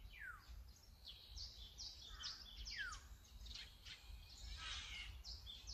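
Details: Azure-winged magpie produces repeated downward-sweeping slurred calls mixed with short harsh, buzzy bursts, several overlapping, over a low rumble.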